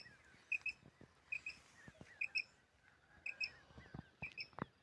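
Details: Common quail call, recorded for quail hunting: quiet paired high notes returning about every second, with faint slurred notes and light rustling behind them.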